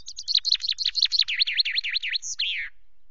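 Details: Common chaffinch at Loch Garten on 24 May at 17.02, preening and singing on the camera perch: a brisk run of high notes speeding into a descending trill of repeated V-shaped phrases, ending in a sharp flourish.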